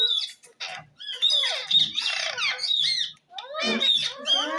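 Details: Green ring-necked parakeet talking at home: rapid raspy speech-like chatter and high squeaks in two dense bursts separated by a brief pause.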